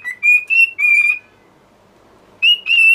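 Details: Cockatiel kept as a pet, singing clear whistled notes: three short steady tones, a gap of over a second, then two more bright whistles.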